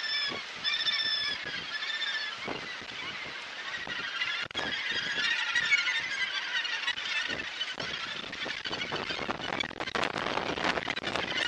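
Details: Australasian gannet colony at Muriwai, Auckland, New Zealand, January 2022, heard from the lookout: a dense chorus of harsh, grating calls, higher squealing notes early on, scattered clicks and wind gusts.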